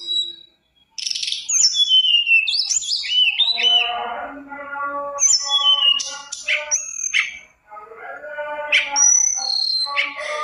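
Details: Mountain tailorbird song played to prompt other birds to sing: a varied run of high whistled slurs and sweeps, interleaved with lower harmonic mewing notes, delivered in quick bursts with brief pauses.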